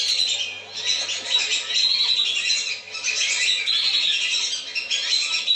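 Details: Flock of lesser whistling ducks in a lure recording to bring them down, high overlapping whistles coming in surges, with two short lulls in the calling.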